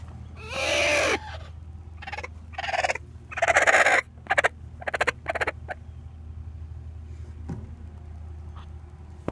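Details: Chicken giving a distress call: harsh, broadband squawks in loud bursts. About six come close together over the first four seconds, then shorter, fainter clicks and squawks follow, over a steady low hum.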